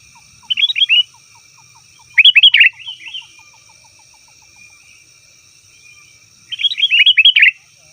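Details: Sooty-headed bulbul lure call: three brief bursts of fast bubbly notes separated by silent gaps, with a separate soft ticking series repeating regularly in between and a steady high tone.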